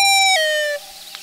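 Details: Loon on its last day at the nest with mate and chick, the mother wailing at a possible intruder; brief loud tonal wail, held steady, then stepping down and fading.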